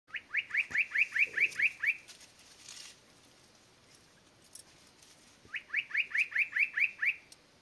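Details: Spot-breasted Parrotbill at Doi San Ju, Chiang Mai Province, Thailand, giving two quick runs of about nine loud, clipped whistled notes. Each run lasts two seconds, with a short pause between.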